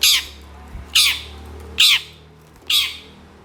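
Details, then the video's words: Long-tailed shrike, an aggressive singing bird that responds quickly to other species, giving harsh rasping squawks repeated roughly once a second, each a short broadband burst with a falling tail; faint low hum behind. "KICAU CENDET GACOR EMOSI CEPAT DI RESPON PENTET JENIS LAIN, MASTERAN CENDET FULL TEMBAKAN KASAR"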